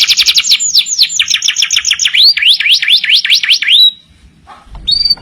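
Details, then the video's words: Master canary song for training other birds. Rapid trilled notes lead into a run of repeated V-shaped swoops, each dipping and rising, that ends on a held whistle. A short quiet pause follows, then a faint high note. "masteran burung kenari gacor"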